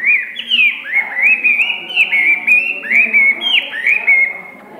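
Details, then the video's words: Hwamei, a tame bird in its first season, delivers a loud, continuous run of clear whistled phrases, each note sliding down then up, tumbling one after another at about one per second with no pause. "Họa mi hót như aka bắn"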